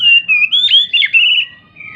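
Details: Lure song of an agitated, jumping Oriental magpie-robin, aimed at getting silent magpie-robins to answer. A loud, continuous stream of rich, swooping whistles and warbles, with pitch slides and quick turns, tapers to a softer, level note.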